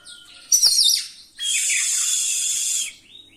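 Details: Oriental magpie-robin in a rolling, mimicry-filled song used to provoke rival birds: a sharp scratchy burst, a pause, then a long, even, hissing buzz held for over a second before a soft closing note.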